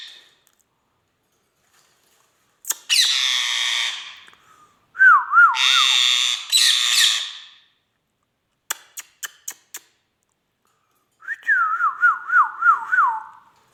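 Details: Pet Indian ringneck parakeet indoors, a talking bird: loud harsh screechy bursts alternating with a repeated wavering whistled phrase of rising and falling notes, plus a few sharp clicks.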